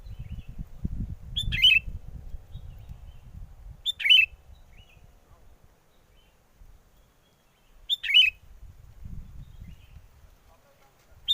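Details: Lure call of a sooty-headed bulbul for bird trapping, recorded in strong wind: short liquid warbled phrases repeated roughly every four seconds, three clear phrases, with gusty low wind rumble between them.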